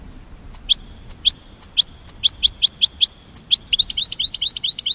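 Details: American goldfinch giving a mating call: high, sharp two-part chirps spaced about half a second apart, then quickening into a rapid, tumbling run of bright twittering notes toward the end.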